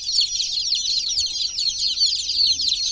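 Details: Dense, shrill chirping from many chicken chicks in a water pool, a continuous wash of quick thin peeps with nothing else audible.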